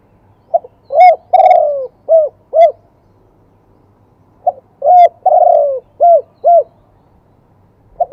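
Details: Spotted dove from Thailand in a live wild-voice cooing song of the two-kuk style: two phrases of low hollow coos, each a short note, a long rolling coo, then two clipped kuk notes, separated by a pause.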